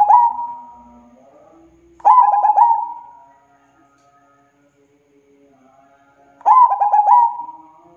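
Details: Local zebra dove (perkutut) singing vigorously: three phrases, each a burst of quick staccato cooing notes that run into a long sustained coo, with pauses of two to four seconds between phrases.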